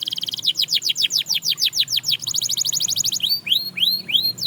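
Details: Canary singing a fast series of repeated notes: a high trill, then rapid downward-sweeping syllables, a quicker buzzy trill, and slower rising-falling whistled notes at the end.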